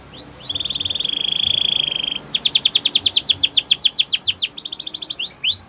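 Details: Canary training song beginning with a smooth, steady rolling tone for about two seconds, followed by rapid chopped descending notes, a fine buzzy trill and a few swooping whistles, over light background hiss.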